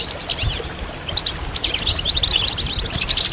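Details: Goldfinch group twitter, mating and readiness calls used to make males sing: high quick chirps and buzzy trilled phrases, briefly quieter near the start then a dense overlapping chorus.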